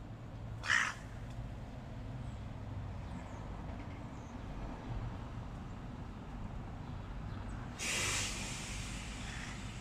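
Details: Hooded crow from a group fighting a stray cat gives two rasping caws, the first short and the second longer about seven seconds later, with constant low-pitched background noise between them.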